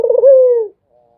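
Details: Brief Barbary dove coo: a fast vibrating roll that flows into a smooth, slightly falling note and fades within a second.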